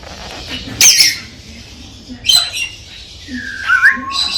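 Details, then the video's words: Galah cockatoo stimulating the female to mate: three harsh, broadband squawk bursts at wide intervals, the last ending in a short rising whistle, over a low steady indoor hum. "Tweeting Cockatoo Gala parrot stimulates the female"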